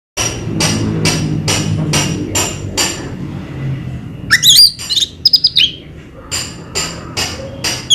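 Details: Orange-headed thrush (anis merah) from Indonesia: a run of sharp, evenly spaced clicks, then a short burst of high, twisting whistled notes with quick slurs, followed by further scattered clicks over a low background hum.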